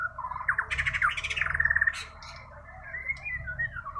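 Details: White-rumped shama from Kalimantan in full natural song, fast harsh chattering and rattling notes merging into a steady trill, then softer warbled whistles trailing off over low background hum.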